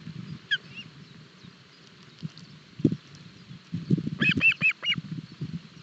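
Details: Osprey chicks at a nest in Barlinek Forest during breakfast feeding, 7 July 2022, recorded by a live nest camera. A quick burst of four high, sharp whistled chirps near the end, over low rustling and thumping from the nest.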